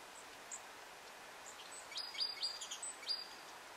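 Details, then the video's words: Long-tailed tit (Aegithalos c. caudatus) in Audru, Estonia, March 2020, giving a quick run of thin, high, very short calls bunched into a second and a half over a steady soft hiss. "Orite à longue queue (Aegithalos c. caudatus) Long-tailed Tit"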